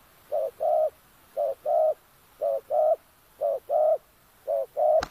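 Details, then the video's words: Five steady two-part coos repeat roughly every second from a decoy spotted dove set to attract wild doves among oil palms in Kampung Luagan, Sabah. Each pair is a brief hoot then a longer coo, ending with a sharp click. "Suara tekukur enak"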